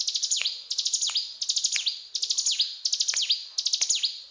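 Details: Mountain tailorbird chattering in 'gacor cetrakan' song, repeated bursts of rapid shrill clicks with down-swept tails, about six phrases delivered at an even pace.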